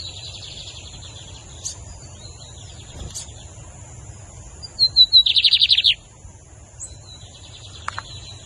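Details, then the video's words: Caged lined seedeater (bigodinho) singing in a song contest with another bird in Brazil: scattered faint chirps, then a short rising whistle leading into a fast rattling trill of about ten buzzy notes, and a few soft clicks afterwards. "BIGODINHO BAFÚ VS TORNEIRO"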